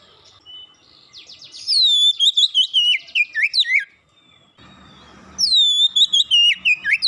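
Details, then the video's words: Oriental magpie-robin lure to get birds singing fast: a buzzy rattle leads into a loud series of clear, falling whistled notes, a brief pause with low background noise, then the whistled phrase again. "PANCINGAN KACER mudah cepat gacor"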